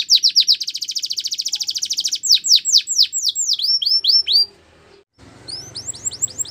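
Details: Singing canary in a training recording: a rapid pulsed trill, then slower, loud downward-slurred whistles, a brief pause, and quieter swept notes over a faint low background hum.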